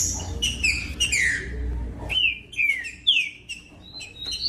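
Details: Caged green-winged saltator song meant to motivate other captive birds to sing: clear whistled notes falling in pitch, then a series of rising and falling slurred phrases, with cage clicks and a low hum.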